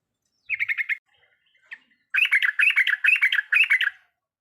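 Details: Lure song of a trucukan (yellow-vented bulbul) in riwikan style: one short rattling burst, a pause, then a longer run of rapid, bubbling repeated notes.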